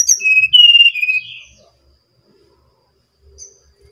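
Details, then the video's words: Energetic song of a brown-chested jungle flycatcher from Bali: a quick high whistle, then smooth level notes sliding downward, ending in a soft warble, with a faint distant note later. "Sinkatan rimba dada coklat (SRDC) Bali Gacor"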